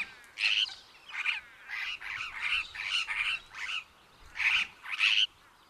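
Superb Parrot giving a run of about ten harsh, grating squawks, high and rasping, spaced roughly every half second; nothing else is heard.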